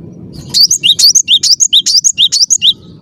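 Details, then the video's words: Clear-voiced cinereous tit in full song, a brisk string of about a dozen sharp, high whistled notes alternating up and down in quick two-note pairs, above a soft low rumble. "ngotot suara jernih, gelatik batu gacor"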